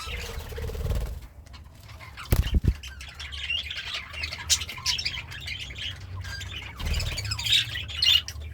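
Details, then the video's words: Pet budgerigar, described as happy, chirping and singing while eating greens; scattered short high chirps and twitters, a burst of sharp clicks near the middle, over a steady low rumble. "The Sounds of a Happy Budgie - Chirping, Singing, and Eating Greens"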